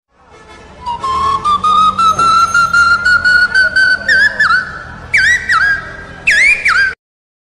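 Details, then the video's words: Asian koel calling in spring in Dhaka, Bangladesh, gives clear whistled notes that climb steadily higher, ending in a few rising, hooked 'ko-el' notes each about half a second long. "বসন্তে কোকিলের ডাক"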